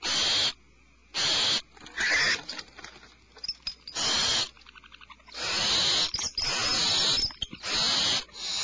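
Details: Nest-cavity owlets, alarmed, give a jumble of long harsh screeches broken by shorter rasps, clicks and twittering notes, with almost no pause between sounds.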